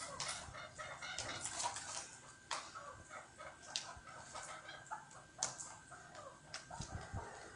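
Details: Chukar partridge (Alectoris chukar), call.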